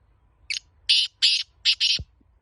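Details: Black francolin, Laka antique breed, sounding its harsh five-note phrase of short, long, long, then two quick buzzy notes, ending with a faint low thump.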